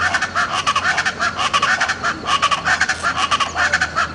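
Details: Speckled chachalaca, Buena Vista Peak, eastern Andes–Llanos, June: loud, harsh, rhythmic bursts of grating calls repeat several times a second without a break, a raucous pulsing chorus over a faint low hum.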